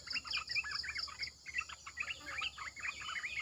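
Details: Chattering Red-eyed bulbuls used as a decoy: busy bubbly phrases of short notes. A row of high rhythmic pulses runs through the first second, and a faint background drone is heard.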